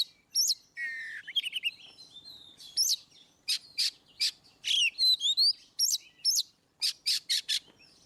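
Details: Ngeplong song of the Oriental magpie-robin, played to make seldom-singing birds respond: warbled descending phrases, then a lively string of sharp chips and rising whistles repeated in quick succession.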